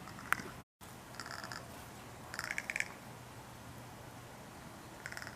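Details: Crow gives soft, dry clacking rattles in short bursts of rapid clicks, spaced a second or more apart, over a low steady hum; this rattle is said to be used in intimate exchanges, usually in mating or with young.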